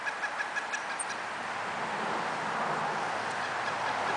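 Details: Pileated woodpecker in northern Maine, near a woodpile, gives a quick run of loud, even kuk notes for about a second, then a steady rushing noise like wind or passing traffic.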